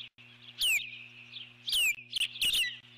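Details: Nesting eagle alarmed by an intruding large bird, July 2014: three bursts of shrill whistles, each gliding steeply downward, spaced about a second apart, with a soft continuous hum behind.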